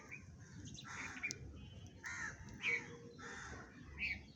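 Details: House sparrows eating food, in a village setting: harsh, raspy chirps in short bursts, several per second, over a steady low background rumble.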